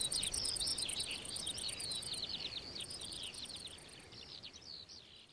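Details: Eurasian skylark delivering a long, high, rippling warble of rapid chirps and slurred notes, a very high rhythmic ticking alongside, against constant hissing background noise.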